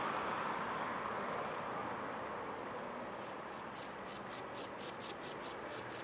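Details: Rock pipit, one of a nesting pair on the seafront of a port in western Scotland busily collecting invertebrate food for their young, gives a quick run of about a dozen thin, very high 'tsip' notes, roughly four per second, after steady wind or surf.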